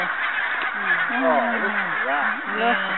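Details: Barnacle Geese on Arran and Islay in 2009, several birds giving drawn-out, harmonic yapping calls that bend up and down in pitch, overlapping one another over a constant wash of flock noise.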